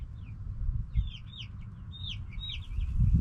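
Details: Backyard chickens, hens and roosters together, giving bright high arched chirps in loose bursts, several birds overlapping, with a constant low-pitched roar of wind or handling noise underneath.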